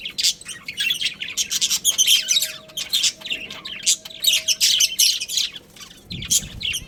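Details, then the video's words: Pet budgerigars, a breeding pair, chattering busily: continuous high scratchy warbles and chirps, overlapping bursts with a steady faint hum underneath. "Adorable Budgies Chirping Sounds"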